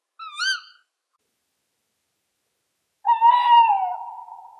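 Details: Tawny Owl with a short, rising, slightly higher note, a pause of about two seconds, then a loud, long, quavering hoot that holds its pitch before dropping and trailing off.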